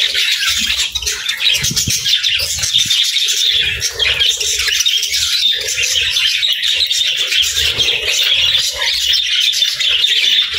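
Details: Budgerigar flock song: a steady, scratchy warble of many overlapping chirps and squawks, with occasional low muffled sounds beneath.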